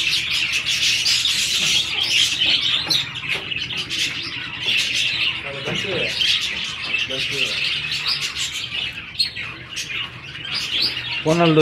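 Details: Budgies, mating pairs in breeding season, chatter with high scratchy chirps and squawks throughout, while a human voice speaks briefly in the middle and near the end.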